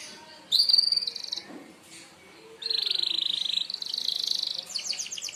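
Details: Merlok canary used for mastering birds, singing sharp-shot phrases: a short high buzzy note, a pause, then a long steady rattling trill ending in fast stuttered notes.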